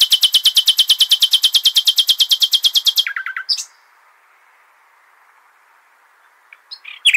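A nightingale sings a fast, high, buzzy trill of about forty rapid repeated notes over three seconds, ends on a few lower notes, then starts a new phrase after a quiet pause.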